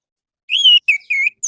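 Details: Morning song of an orange-headed thrush, used to coax captive birds into singing: a long, loud steady whistle, then two shorter slurred whistles and the start of a higher note.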